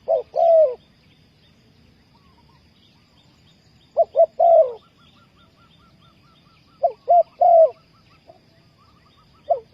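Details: Cooing spotted dove kept as a lure for trapping wild doves: three separated phrases of short hoots and a drawn coo, with faint high chirps from other birds in the background.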